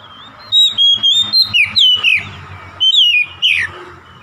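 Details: An oriental magpie-robin's rapid rival-provoking song: a run of clear whistles with several sharp descending slurs, a brief break, then two more quick falling whistled phrases over low background hum.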